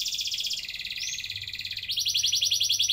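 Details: Canary singing long rolls as a lure for young birds: dense buzzy rolling trills, dropping in pitch after half a second and jumping higher near the two-second mark, steady throughout.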